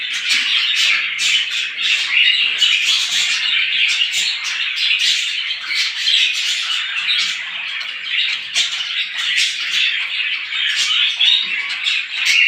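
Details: Flock of sparrows calling in the morning, a constant high twittering mass of chirps punctuated by sharper squeaky notes every second or so.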